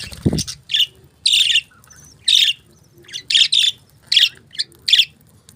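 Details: Budgerigars giving a series of short scratchy chirps and squawky notes, roughly two per second, with a low thud at the start and quiet room background.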